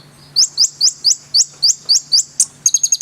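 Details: Konin sunbird song: a steady series of about nine sharp, rising, high whistled notes. It ends in a quick ticking trill, over a low constant hum.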